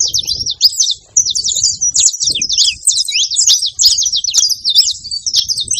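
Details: Lively saffron finch song: rapid high twittering phrases strung together almost without pause, bright chirps and short trills over soft low background noise.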